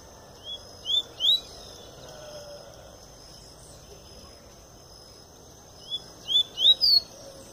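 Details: Double-collared seedeater, just out of molt, in the pure Tui Tui song style: two short bursts of high, sliding whistled notes, three or four each, separated by several seconds of quiet with steady background hum.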